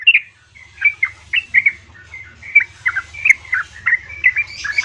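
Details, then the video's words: Female yellow-vented bulbul calling for a male, used as a lure for sluggish caged birds: spaced, clear chirps and short slurred whistles, roughly two per second, over a steady low hum. "Pancingan Trucukan Betina Memanggil Jantan"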